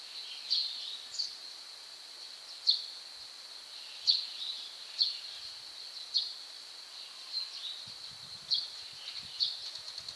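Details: Two white-cheeked starlings trying to help a companion caught in the gap of a rain shutter, repeatedly perching on it. Brief clipped chirps about every second, over a constant shrill hum, with faint low knocks near the end.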